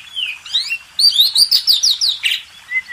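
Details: Oriental magpie-robin master song for contest birds, a sliding whistle followed by a rapid burst of sharp rising chirps, one harsh note and a soft closing whistle.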